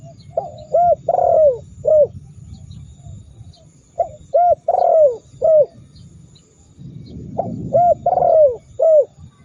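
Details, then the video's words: Spotted dove call used to stir rival doves into calling: three bursts of low, mellow coos, each of about five notes with a longer drawn-out middle coo, repeating roughly every three and a half seconds over a soft low rumble. "Masteran burung tekukur super dahsyat membuat lawan ikut gacor mendengkur ngamuk"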